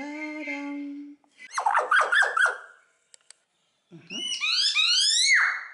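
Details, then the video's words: Common hill myna, a talkative bird and outstanding imitator, kept at a bird garden zoo in Upie, Drôme, France: a steady low tonal note, then a burst of harsh rapid notes, then loud rising, ringing whistled calls. "Le Mainate religieux est un oiseau bavard"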